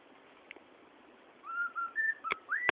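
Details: Cockatiel chick kept indoors, whistling imitated tunes: a short series of clear, level whistled notes with a rising slur at the end. Sharp clicks and taps are heard near the close.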